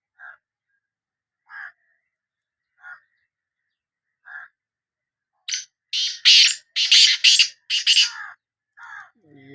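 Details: Sindhi black francolin: a run of short, soft notes about every 1.4 seconds, then a loud, harsh, rasping phrase of five or six grating notes, followed by a few more lower notes.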